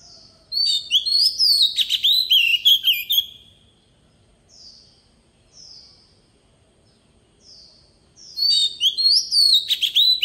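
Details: A decoy Oriental magpie-robin gives a long, varied whistled phrase of its wild-style song. Several soft, evenly spaced single whistles follow before another rich phrase begins.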